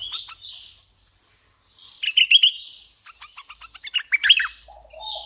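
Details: Red-eyed bulbul used as a decoy, singing bursts of quick bubbly whistles and chatter, two main phrases separated by brief pauses, ending with a lower soft trill.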